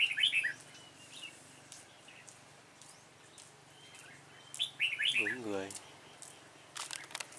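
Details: Red-whiskered bulbul with a dark bib, used as a decoy while trapping on 28 February 2017: two short bursts of bright, quick warbled notes near the start and after four seconds. A brief low human voice follows, with a quiet background between phrases.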